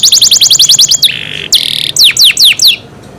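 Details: Pet canary singing: a fast train of repeated high sweeping notes, then a harsh buzzy note, followed by several slower loud descending whistles before fading out.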